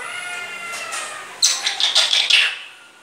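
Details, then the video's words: Pet grey parrot after taking a bath, which the owner says speaks phrases and coughs. A burst of short, harsh, chattering notes with bright whistled tones, about a second long, breaks a quiet start. "grey parrot after taking bath,saying Laillaha ILLallaha,kia hua,mitthu kon hai,Lohe alle,coughing"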